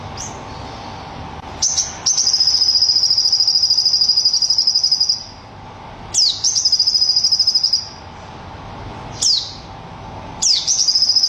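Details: Sogon bird delivering its tembakan (shooting) style song: sharp downward-swept notes, each followed by a long, very rapid, even, high-pitched rattling trill lasting up to three seconds, repeated four times over a steady low background hum.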